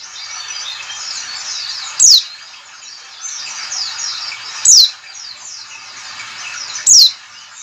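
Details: White-eye call in the 'ngalas' style, used as a lure to make white-eyes open their beaks and sing: three loud, sharp downslurred whistled notes about two and a half seconds apart over a steady background of many high twittering birds.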